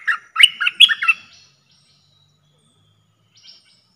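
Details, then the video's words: Trapping lure sound of a streak-eared bulbul: a quick cluster of bubbly chirps near the start, then silence with one faint thin note near the end. "เสียงต่อนกกรงดอกแตงEp.79 [เสียงใหม่ล่าสุด]🇹🇭 🇲🇾Suara pikat merbah lekir gacor"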